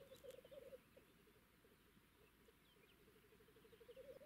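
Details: Black grouse feeding in a clearing near cranes, Moscow region, outside the spring lek; 2–3 males fan tails, bubble and court indifferent females: a low, rolling, cooing warble in rapid pulses, swelling and fading, with soft rustle.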